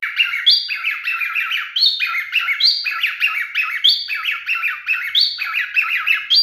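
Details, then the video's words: Male cockatiel courting with continuous rapid chattering: dense repeated warbling phrases with rising and falling slurred notes and higher squeaks, without pause. "#MaleCockatielMatingBehavior #FunnyCockatiel #CockatielScreaming #CockatielMaleBestSinging #Корелла"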